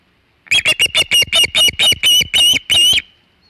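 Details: Osprey at the Hog Island nest on 27 August 2019, around 3:50 pm EDT, with a big shad: a loud series of about eleven sharp, squealing chirps, each with a steady high tone, quickening then slightly slowing, in near silence.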